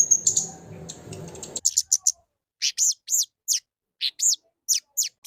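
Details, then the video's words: Lesser shortwing song: a burst of high chirps over low background rumble, then crisp, separate downward-flicking notes in small clusters amid silence. "Suara Burung Kemade Gacor"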